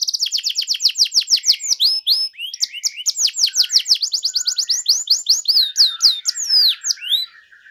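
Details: Lure recording of a gacor canary for birds that rarely sing: several fast rolls of high chirps alternating with upswept whistles and short buzzy notes, continuous and varied for nearly eight seconds.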